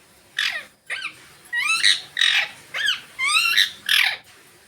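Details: Green Indian ringneck parakeets sunning themselves, calling with a string of loud raspy squawks alternating with rising, harmonic-rich screeches, roughly eight calls over a few seconds with short gaps.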